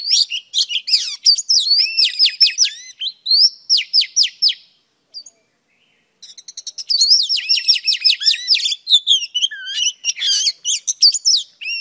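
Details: Female Oriental Magpie Robin singing to provoke males: long runs of rapid, high, varied chirps and whistled slurs, a brief pause midway, then more fast warbling notes. The background is clean and quiet.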